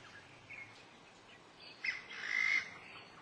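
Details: Black-necklaced scimitar babbler recorded at Dagangshan, Taiwan, in July 2011: after faint notes, one harsh, broad squawking call swells near the end over a soft background hiss.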